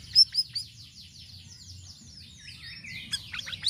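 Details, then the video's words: A sirisiri sings a fast, busy run of varied high, thin chirps and down-slurred whistles, shifting into sharper varied notes, over a soft low hum; used as a lure to prompt other sirisiri to sing. "PANCINGAN BURUNG SIRISIRI DENGAN VARIASI SUARANYA"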